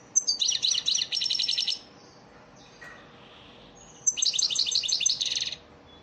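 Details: European goldfinch, elmacık-style training song for caged birds: a rapid, high, twittering trill of nearly two seconds, a quiet interval with a soft buzz, then a second similar trilled phrase.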